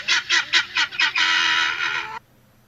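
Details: A domestic village helmeted guineafowl gives five quick, harsh, grating notes, about four a second, then one longer rasping screech before it stops.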